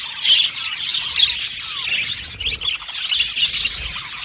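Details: Blue and violet male budgies in an aviary give sharp, high chirps and short squeaky notes over a continuous background of flock twittering.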